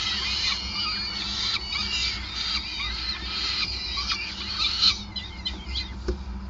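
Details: Peregrine falcon nest, Groningen, 5 May 2020, during a lengthy feeding: thin high squeals and curved slurred notes, busy at first then sparser toward the end with a short knock, over a low steady hum.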